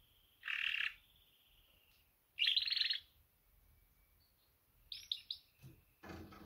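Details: Female canary mating call toward males: two buzzy trilled bursts about two seconds apart, then a quick series of short high notes and a clatter at the end.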